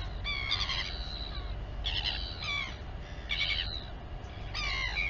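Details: Mother Royal albatross feeding her chick at the Taiaroa Head colony near Dunedin, New Zealand. Four clear, whining harmonic calls with slurred, falling tones, spaced about one and a half seconds apart, over soft wind noise.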